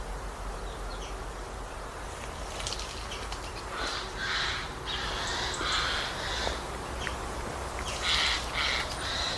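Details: Eurasian Jay bathing in Portugal: scattered harsh, raspy calls in short clusters midway and near the end, over a noisy background with faint high chirps from other birds.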